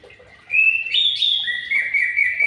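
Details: White-rumped shama in an aviary giving a sustained clear whistle that rises, then steps down to a long steady lower note with slight wavering.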